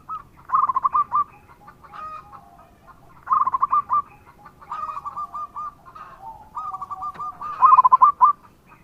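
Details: Local zebra dove singing in strong voice, used as a lure to make other doves answer. Short bursts of quick, bubbling coo notes repeat every few seconds, with longer rolling trills near the end.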